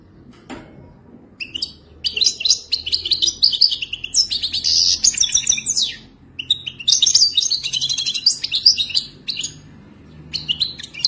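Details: Wadani-style song from a European goldfinch, delivered as long runs of fast, high, metallic twittering and trills in several phrases separated by short pauses, with faint low background hum.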